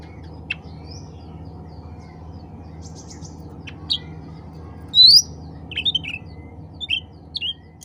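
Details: Sooty-headed bulbul calling other birds of its kind: scattered short chirps and ticks, then a loud clear rising whistled note followed by several quick bubbly phrases, over faint background hum.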